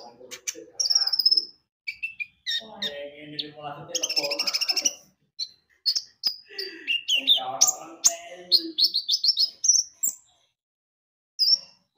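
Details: Energetic Javan white-eye song used to trigger singing: long runs of rapid high twittering and whistles, mixed with some lower chattering notes, ending after a short silence with one more chirp.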